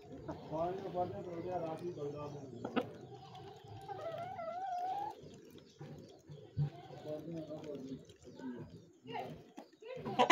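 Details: Domestic hen and rooster with chicks during mating and feeding: a series of harmonic clucking and crooning calls, some rising and wavering notes in the middle, irregular bursts with pauses, and a short exclamation at the end.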